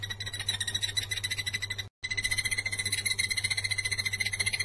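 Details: Blue-eared barbet (Psilopogon duvaucelii) call: a fast, steady run of short, clipped mid-high notes, about four per second, over a low electrical hum.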